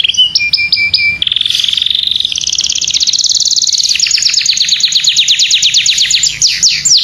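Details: Domestic canary singing, kept as a training recording for other birds: loud high trills, a short run of repeated notes then long rapid rolling buzzy trills and fast repeated slurred notes, bright and continuous, no other sounds.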